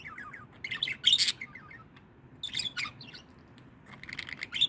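A budgerigar gives bursts of bright, scratchy chirps and warbles, high-pitched and chattering.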